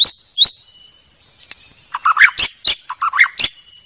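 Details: White-rumped shama in a clear training recording. Two sharp rising whips open it, then a pause, then mid-pitched burbling wavering notes alternate with loud high chips.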